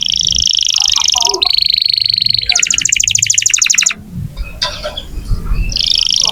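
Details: Steadily singing canary used to coax young or non-singing canaries into song: high rolling trills, each phrase held at a fixed pitch before switching to another, a short quieter break with low background noise, then the trilling resumes.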